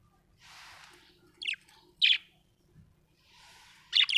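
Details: Happy budgerigar giving short bright chirps near 1.5 and 2 seconds, then a quick double chirp at the end, separated by soft breathy hissing noises.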